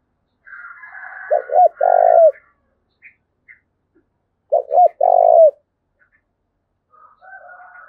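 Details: Spotted dove recorded in Dong Nai, Vietnam, 'thúc bổi' calling: two loud deep coo phrases about three seconds apart, each with two curled short notes and a long steady coo, over a soft higher background call.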